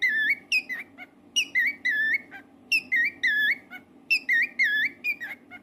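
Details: A household cockatiel sings a repeated whistled tune, bright wavering notes bunched in short bursts of three to four, several phrases in a row, a faint steady hum underneath.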